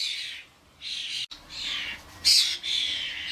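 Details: Common starlings, adults with their fledglings, crowding a garden bird feeder with suet blocks: three harsh, hissing squawks with short gaps between them.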